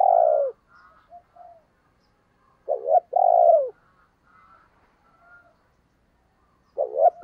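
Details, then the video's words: Decoy spotted dove used to provoke other doves into cooing: a loud long falling coo, then a quiet stretch of soft murmuring notes, then a stuttered double note leading into another long drawn coo, repeated twice. "Tiếng Chim Cu Mồi dùng Kích Bổi Hiệu Quả Mở Là Gáy"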